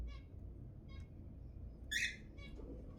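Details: Zebra finch calls meant to prompt mating. Short stacked nasal notes are heard at the start and after one second, then one loud, broad, slightly buzzy call at two seconds and a softer one after it.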